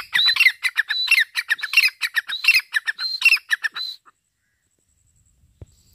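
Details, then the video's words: Grey francolin (irani teetar) calling: a fast run of shrill, harsh notes, each with a high whistled element, about eight phrases packed into four seconds, then silence. "teetar ki awaz|irani teetar ki voice|teetar sound| teetar ki boli|teetar awaz"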